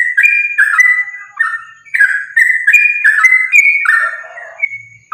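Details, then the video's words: Lure recording of a sooty-headed bulbul in fighting song: quick, jumbled fluty whistles and slurred notes repeated almost three times a second, ending in a lower, softer warble. "trucukan gacor tarung sambung ropel ini ampuh buat pancingan trucukan agar bunyi"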